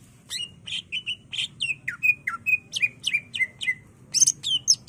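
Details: Greater green leafbird, a cage bird in full song used as a lure and master for training other birds: rapid varied phrases of loud whistled notes, sharp downslurs and harsh chips, delivered in quick bursts with a low hum beneath.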